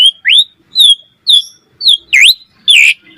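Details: Asian pied starling singing as a master track for other starlings: loud whistled notes spaced about half a second apart, some rising, some sliding, ending in two harsher dipping calls.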